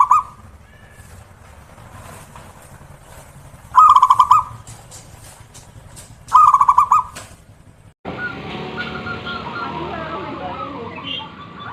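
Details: Zebra dove, heard every morning: two loud stuttering coo bursts about two and a half seconds apart, followed by a sudden switch to broad background noise with mixed bird chatter.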